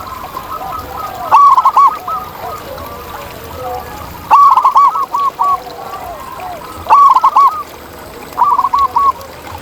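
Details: A zebra dove sings in the wild: four separate short phrases of rapid, bouncing coos, spaced a few seconds apart. Softer doves call faintly in the background.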